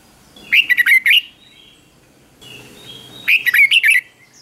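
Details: Red-whiskered bulbul song played to provoke caged birds into competitive singing: two short bursts of rich, bubbling whistled notes about three seconds apart, with a faint background hum between them.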